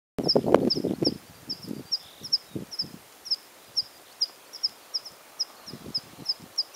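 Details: Water pipit in spring plumage singing: a steady series of short, thin, high chirps repeated several times a second, faint against soft rumbling thumps and handling noise at the start.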